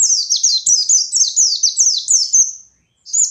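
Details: High, sweet, rapidly repeated falling notes from a white-eye in ngalas style, used to lure and provoke rival birds, pausing briefly before a new phrase begins.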